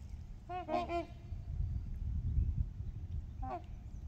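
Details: On Horseshoe Lake, where trumpeter swans gather with geese, a quick cluster of two or three horn-like honks sounds, followed by a softer single honk near the end, against low wind noise.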